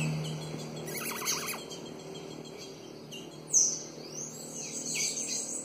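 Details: Female ultramarine grosbeak soliciting mating: a short wavering, warbled trill lasting about half a second, later a sharp high downslurred note and faint high sweeps, over a steady low hum.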